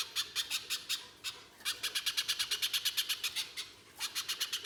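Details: Harsh, rapid chipping from a spiderhunter called pijantung pisang, played to lure other spiderhunters into song: strings of loud sharp notes broken by two short pauses.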